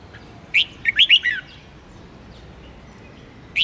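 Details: Red-whiskered bulbul singing in a lively contest style, used to stimulate other bulbuls: a quick burst of four or five bright, chirpy, slurred whistles, then a pause and one more sharp note against a quiet hiss.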